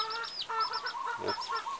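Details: A domestic broody hen on a rainy morning on the Big Island of Hawaii, while being fed, gives a quick run of about five nasal, honking clucks in under two seconds, with a brief rustle partway through.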